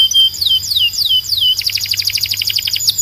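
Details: Belgian canary singing, meant for training birds: a run of four whistled notes, each sliding downward, then a fast bright rattling trill of high repeated notes.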